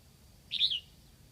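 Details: Red-whiskered bulbul decoy bird from Lạng Sơn, Vietnam, singing to lure wild birds: one short, quieter warbled phrase of run-together chirpy notes, with a low hum behind it.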